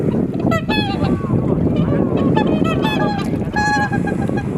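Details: Swans calling at dawn in the blue hour on Kotoku-numa pond, Japan: nasal, trumpeting honks with rich overtones come in bursts over heavy low wind rumble from a camera's built-in microphone.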